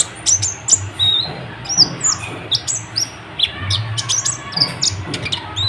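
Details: Kolibri ninja sunbird in full, lively song meant to provoke other birds: busy series of high chirps, downslurred whistles and brief twitters, delivered in quick irregular bursts over a low hum.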